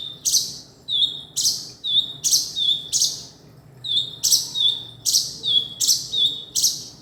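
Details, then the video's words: A male kinoi gives harsh, high, scratchy chirps, each ending in a short thin whistle, about ten in quick uneven succession. "burung kinoi jantan"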